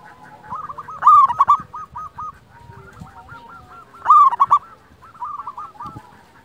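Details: Local wild zebra dove song used as a training and lure recording: two loud bursts of rolling, trilled coos about three seconds apart, with softer trilled cooing phrases running between them.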